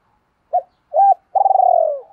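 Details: Cooing of a spotted dove, played to attract wild birds: two brief hollow notes, then a drawn-out throbbing coo that slowly drops in pitch and fades. No other sounds.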